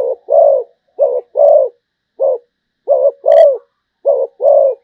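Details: Zebra dove of the Malaysian type singing: low, soft coos given in short pairs, a brief note followed by a longer one, with each pair repeated about once a second in a quiet setting.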